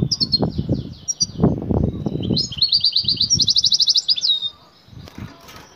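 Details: A female goldfinch in heat calls to the male for mating, a local batbata call: short high chirps lead into a long fast buzzing trill of repeated notes, over low bumping and knocking sounds that later fade.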